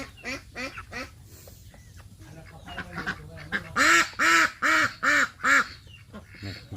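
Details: Female Yi Liang duck calling: a quieter run of nasal quacks early on, then six loud, harsh, evenly spaced quacks in quick succession over about two seconds, with faint background noise.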